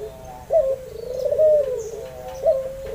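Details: Albino white Barbary dove with red eyes, a lure bird, giving one long low rolling coo framed by short sharp notes.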